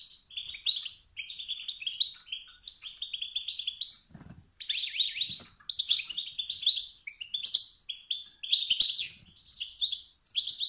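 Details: European goldfinch male giving provocative calls that urge other males to sing and assert dominance: buzzy, trilling twitters in repeated bursts, with a few faint low knocks in the background.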